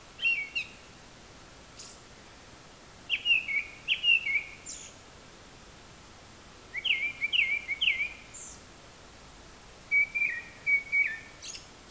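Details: Japanese thrush singing from very high in the trees and seeming to mimic various other calls: four bursts of clear whistled notes, some slurred and warbling, each group of notes followed by a thin high twitter, with quiet gaps between phrases.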